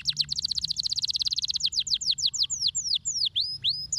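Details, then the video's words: Rapid rolling trill of high chirps from a canary, slowing into spaced downward whistles and looping swoops, sung as masteran material. "MASTERAN BURUNG KENARI HANDAL"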